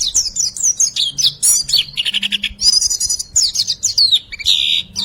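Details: White-eye song used as a training recording to lure silent birds into singing: fast, dense bursts of high, thin chirps and sliding whistles, some trilled and buzzy, tumbling together without pause.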